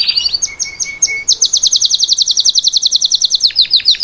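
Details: Salsa canary singing live to train its young: a few varied chirps over a soft low whistle, then a long, even run of rapid downward-sweeping notes, about seven each second.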